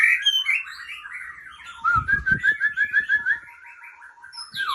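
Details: Female White-rumped shama from Ujong Pancu, Aceh, singing a varied phrase: slurred whistles and chirps, then a rapid run of about ten sharp, even notes repeated quickly, with soft low thumps beneath and a rising note at the end.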